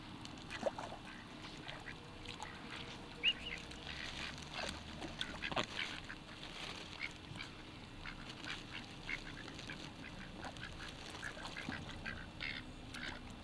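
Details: Owned ducks call during feeding time with scattered short, rasping quacks at irregular intervals, over low background noise and occasional light knocks.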